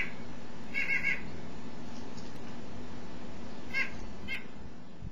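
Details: Nuthatch giving its bolder call, distinct from its little peeps, from a bird just out of view: short nasal, slightly harsh notes, a quick cluster of three, then two single calls seconds apart, over a steady low rumble of wind or traffic.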